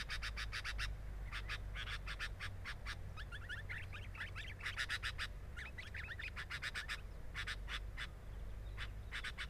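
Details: Sooty-headed bulbul recorded at the nest: volleys of rasping broadband pulses, rapid and irregular, with clusters of quick slurred chirps in the middle stretch. Steady low rumble throughout.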